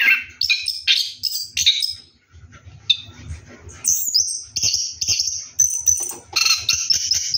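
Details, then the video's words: Orange-headed thrush singing while bathing at night: sharp scratchy notes, a quieter pause, then very high thin whistles and chattering phrases repeated in short bursts. "KICAU ANIS KEMBANG NGEROLL MANDI MALAM"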